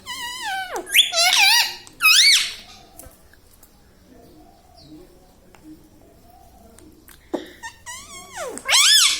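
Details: Talking pet rose-ringed parakeet, a ringneck parrot that says mummy, papa and radhe radhe; a few wavering, harmonic voice-like phrases at the start, a quiet gap, then more wavy mimicked syllables.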